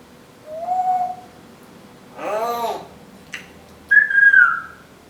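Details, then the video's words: Female Timneh African grey parrot indoors, a talking and singing pet: a steady low whistle, a voice-like harmonic phrase, a click, then a higher whistle falling slightly. "The smartest African Grey Parrot, TALKING - singing, and making vacuum sounds."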